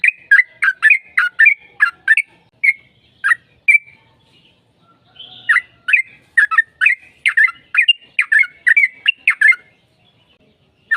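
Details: Yellow-vented bulbul song used to provoke a bird into answering. Quick, bubbly chirps with a few whistled notes, a brief pause, a soft rasp, then another fast, busy run of chattering notes.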